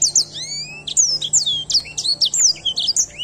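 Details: Edel sanger songbird delivering a fast run of high, clear whistled notes, some long rising and falling slurs followed by quick sharp chirps, continuous for about three seconds.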